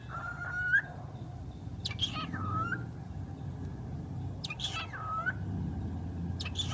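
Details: Talking bird giving short rising whistled phrases preceded by sharp clicks, repeated twice with gaps, over a steady low hum in the room.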